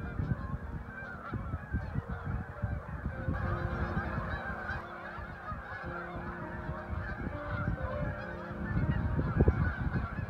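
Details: Flocks of geese overhead at Lake Okabena in Worthington, Minnesota, producing rapid, irregular honks from many birds together, a busy chorus that swells toward the end.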